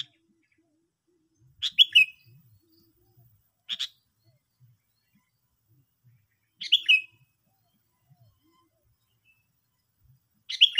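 Sooty-headed bulbul giving short, bubbly chirping phrases, each under a second, with long silent gaps of two to four seconds between them.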